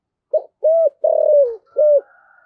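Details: Spotted dove kept as a decoy, deep earthy voice; a brief phrase of four soft coos, the third long and gently falling, followed by a faint thin whistle.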